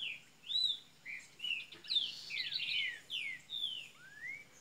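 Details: Double-collared seedeater from Minas Gerais, Brazil, opening its song: varied whistled slurs, a rich burst of rapid notes and a final rising whistle, heard against low background hum.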